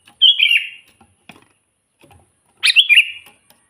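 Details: Sooty-headed bulbul in lively full song, used as a lure for trapping wild bulbuls: two bright, bubbly warbled phrases about two and a half seconds apart, with faint soft clicks between.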